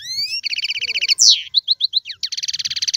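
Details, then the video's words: Algerian goldfinch song in the tiwawati, galoubi and serfati styles. A rising whistle, then a fast stuttering trill, a loud harsh slur, four spaced chirps, and another long rapid trill to the end. "مقنين طيواواطي قالوبي و سرفاتي, هذا الحسون ليس له مثيل"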